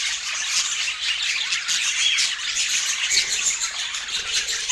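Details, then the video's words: Colorful rainbow pet budgerigars eating sweet apple, giving a steady, dense stream of soft high chirping and warbling chatter from several birds with no pauses, buzzy and twittering throughout. "Cute Budgie Eating Sweet Apple Relaxing Budgie Sounds"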